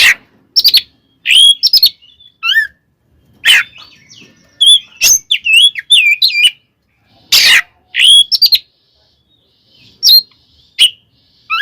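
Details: Extended fighting song from an Oriental magpie-robin, used as a lure to provoke rivals: repeated harsh rasping bursts interleaved with bright looping whistles and a fast cluster of wavy notes midway.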